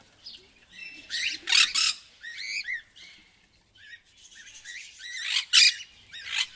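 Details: Parrot giving loud, harsh squawks in bursts, with scratchy broadband screeches and shorter warbled notes, several loud peaks spread across the stretch with brief quiet gaps between calls.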